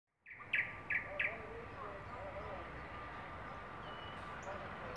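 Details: A Thrush nightingale (Luscinia luscinia) sings on a branch: three sharp, clicking notes in quick succession, then softer warbled phrases over a steady background hum.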